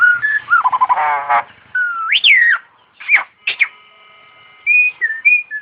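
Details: Starling in full, melodious song: clear whistles mixed with a fast rattling trill, sharp upward-swooping notes, and a few short level whistled notes near the end, separated by brief pauses.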